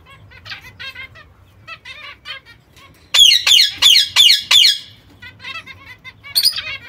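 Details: Zebra finch fledglings with their mother chatter in soft, high cheeps, then a run of five loud, nasal, trumpet-like calls about three a second, before the quiet chatter resumes.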